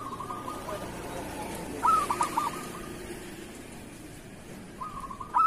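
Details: Kerot-style local zebra dove song for training lazy or moulting doves: a faint trilled coo, then loud bursting accented notes near mid-phrase, and a new soft trill building into another loud note at the end; quiet hiss behind.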